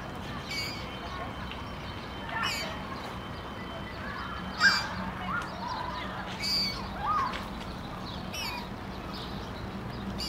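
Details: A common moorhen in Tivoli Landscape Park, Ljubljana, Slovenia, on 23 June 2023 gives a few short, abrupt croaking notes spaced a second or two apart, over a steady low hum of background noise.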